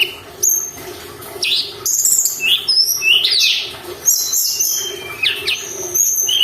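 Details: Lure recording of a Sunda robin singing constantly for training caged birds: scattered high sweeping notes and short whistles in irregular bursts, with softer pauses between phrases.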